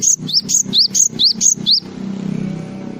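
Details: Java sparrow singing a full filler song: about eight high, bright notes alternating between flat whistles and quick rising slurs, delivered rapidly over two seconds, then a low background hum.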